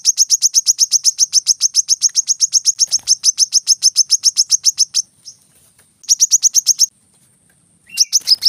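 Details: Brown-throated sunbird, used as training audio for caged birds, firing a long, fast series of high chips for about five seconds. Shorter bursts follow, separated by silent gaps, then a final quick volley.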